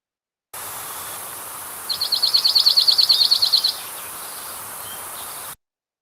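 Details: Dark-eyed junco (Junco hyemalis), song.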